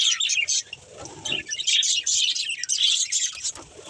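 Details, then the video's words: Playing budgies chatter in quick, high, twittering bursts with rapid chirps crowding together, dipping briefly between phrases, over quiet low background noise. "Cute Budgies Chirping Sounds"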